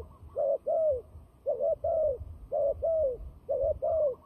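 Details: Fighting turtle dove, used for trapping, repeating close pairs of purring coos, the second note of each pair longer and drawn out, about four pairs in quick succession with a light low hum behind.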